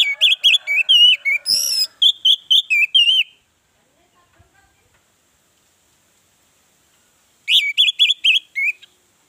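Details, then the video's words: An orange-headed thrush sings loud, rich whistled phrases with quick warbling trills in two bursts separated by a few seconds of silence; used as a lure to make other birds call. "Pancingan ampuh Anis merah bikin yang lain bersuara"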